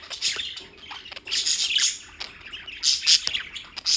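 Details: A short burst of bird chirping recorded in New York, bright high chirps and harsher squawky notes overlapping in quick runs, with a faint low hum underneath.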